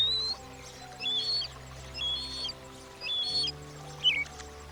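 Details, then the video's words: European Starling (Sturnus vulgaris) giving short, high whistled and wheezy phrases about once a second, sliding and warbling, over steady low music. "European Starling (Sturnus vulgaris)"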